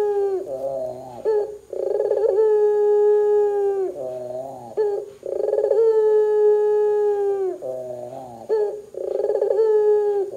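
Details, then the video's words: Barbary dove calling loudly to draw other doves into calling. Three similar phrases, each a gurgling roll followed by a drawn-out steady coo about two seconds long. Short lower warbles separate the phrases. "suara PUTER gacor Bikin PUTER Lain dengar cepat IKUT BUNYI"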